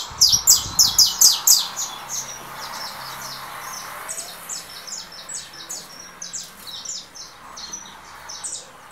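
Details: Saffron finch in 'russo' plumage, leaving moult, competing with a phone recording of a canary: rapid loud chirp series at first, then fainter, quicker high twittering notes over background hiss.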